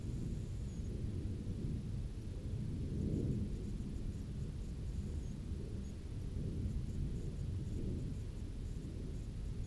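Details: Continuous deep rumbling like distant thunder or engine noise fills the recording, with no animal voices.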